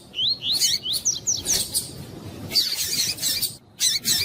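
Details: "Tui tui" song of a Double-collared seedeater, used for training and warming up captive tournament birds: a rapid series of rising whistled slurs followed by buzzy, scratchy phrases and brief pauses.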